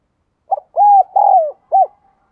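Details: Spotted dove lure bird cooing and calling. It gives four low, hollow coos over about two seconds: a short opening note, two longer drawn-out coos, then a brief final hoot. The background is quiet.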